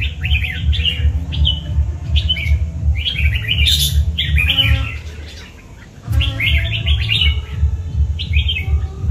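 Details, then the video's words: Red-whiskered bulbul ('cọp' type) repeating short, bubbly warbled phrases of quick rising and falling notes with brief pauses, accompanied by a steady low rhythmic hum. "Bản Lĩnh Chào Mào Cọp: Sự Kết Hợp Hoàn Hảo của Nét và Bộ Lông Đẹp"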